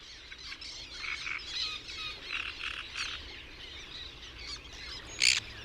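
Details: Black terns, just returned from West Africa to reed-bed breeding marshes along the old Rhine in the Netherlands, give sharp, high screeching calls overlapping in a busy chorus, one loud harsh note near the end, over soft outdoor hiss.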